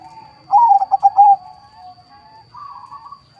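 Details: Zebra dove, a captive-bred local and Bangkok crossbreed from a breeding farm in Bekasi, West Java, Indonesia, kept as a lure bird. It gives a quick stuttering burst of mellow coos, then softer drawn-out cooing notes, with a faint steady high hum.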